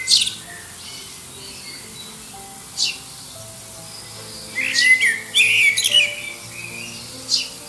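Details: Blackbird near Liverpool, beneath the airport approach path, singing in competition with faraway rivals to win a mate. Sparse high chips come first, then a rich mellow warble that ends in a scratchy, high-pitched flourish.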